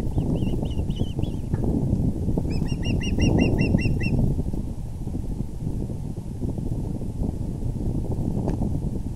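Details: At an osprey nest on an April 2020 evening, as the father delivers a big fish, a quick burst of about eight sharp, high-pitched chirps, preceded by a few softer whistles, over rumbling low hum.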